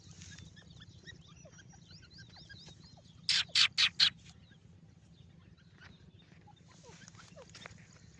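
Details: Francolin calling: four loud, harsh, buzzy notes in quick succession near the middle, spaced about a third of a second apart, over a quiet background with faint distant chirps and low hum.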